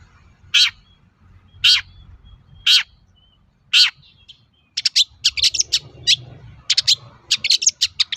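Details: Long-tailed shrike song used as a lure to provoke other shrikes into answering: four spaced harsh, buzzy notes about a second apart, then a rapid run of sharp high chattering notes.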